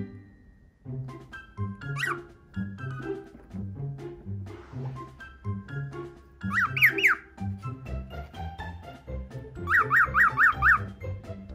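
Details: A male pearl cockatiel, hatched around January 2018, imitates animal sounds while playing with a hand one morning, here quick, bright, repeated chirps like a chick's or mouse's peeping, over background music.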